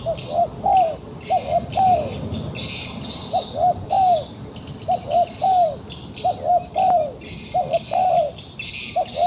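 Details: Trapped wild pigeon that keeps fighting, repeating low mellow coo phrases of two short notes and a longer sliding note, roughly every two seconds, with a continuous shrill insect buzz behind.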